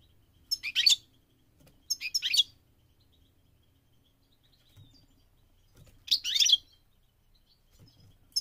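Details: Goldfinch on migration singing three separate phrases of rapid, high, tinkling twitters, each under a second long, with quiet gaps of several seconds.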